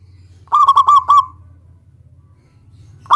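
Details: Local zebra dove calling to draw a rival's reply: one short burst of five quick, clipped cooing notes that fades out into quiet, with a new note just starting at the very end.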